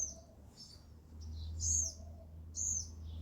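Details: Sparrow at a feeder giving a few high, clipped chirps, two louder ones standing out about a second apart, over a low steady hum.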